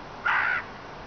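A Eurasian jay gives a single harsh, crow-like caw lasting about a third of a second, against a quiet background.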